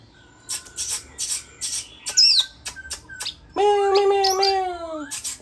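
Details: A captive Oriental magpie-robin, bought online and kept for five days, gives bursts of sharp high chirps, then a sweeping whistled phrase with slurred falling notes over a faint hum; it sings eagerly when a recording of hwamei song is played.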